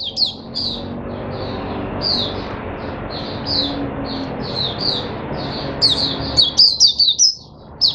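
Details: Oriental white-eye in a cage, singing a steady chain of high twittering notes about twice a second, ending in faster sharp chirps, over a noticeable hiss and low rumble.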